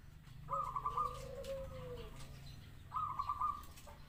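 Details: Zebra dove delivering a burst of fast stuttering coo notes over a low drawn-out coo, then a pause and another rapid staccato burst, with a low rumble beneath.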